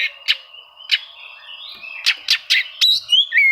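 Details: Oriental magpie-robin song meant to seek rivals and spur silent birds to sing: sharp harsh chips spaced irregularly, then clear whistled slurs climbing and dropping at the end.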